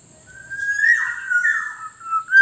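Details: Black-naped oriole used as a lure for wild orioles: one long liquid whistle that rises, wavers, then dips and rises again, lasting about two seconds. A faint steady high tone is also present.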